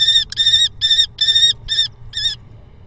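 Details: Common kestrel at Hoogeveen, Netherlands, 6 April 2021, the male delivering a mouse to the female: six short, rich, harmonic squealing notes in quick succession, evenly spaced, over faint low background rumble.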